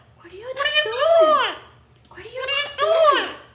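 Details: Pet Amazon parrot indoors, crying from jealousy when its owner touches another parrot: two drawn-out, wailing, harmonic cries that rise then fall, about a second and a half apart.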